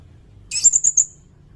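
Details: Sirindet singing, taken from a recording used to teach cage songbirds and to lure wild birds. A short, high burst: a buzzy opening note followed by three quick, piercing chirps.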